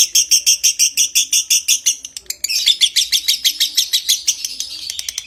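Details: Long konslet-style ngekek from a lovebird, used as a tutor sound to stimulate breeding condition: a dense rattling chatter of rapid pulses that briefly dips near the midpoint and then resumes faster and louder.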